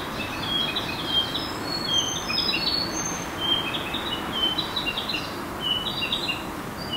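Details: Sakhalin leaf warbler, a spring migrant, singing at dawn in an urban green space at Hijiyama, Hiroshima, on 25 April 2019, alongside other summer birds. High, thin, short chirped notes come in quick clusters over a steady low background rumble.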